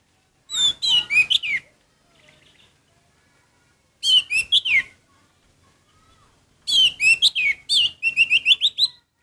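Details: An orange-headed thrush sings actively, giving three rich bursts of varied, rapid whistled and chattering notes, each about a second long, with quiet pauses between.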